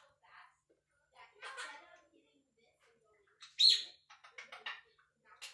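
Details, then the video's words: One-year-old male pet Quaker parrot chattering and talking indoors in a small room: short bursts of scratchy, speech-like syllables, with a sudden loud squeak midway and quiet gaps between phrases. "Little Parrot Talking"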